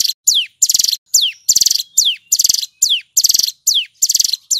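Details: Loud, clear 'ngebren' song of a vigorously singing male Hill prinia: downward-slurred whistles trade off with stuttering buzzy trills, nearly ten quick phrases back to back.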